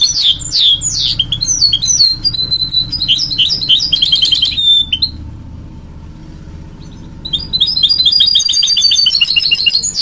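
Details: Goldfinch mule, a goldfinch and canary hybrid, sings a rapid, varied twittering song of high chirps and slurred whistles. It breaks off into near silence midway, then resumes with dense, fast trills over a faint low hum.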